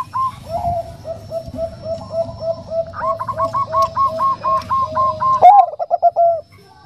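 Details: A female Bangkok-type zebra dove calls a male with soft 'nutut' notes: a long series of steady, evenly spaced coos, overlaid by a second bird's faster higher notes, ending in a loud, rolling burst.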